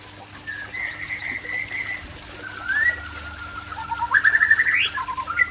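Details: White-rumped shama, Murai Aceh type, gives drawn-out whistles that lead into a rising, quickly repeated trill and then short sweet notes, over a faint steady hum.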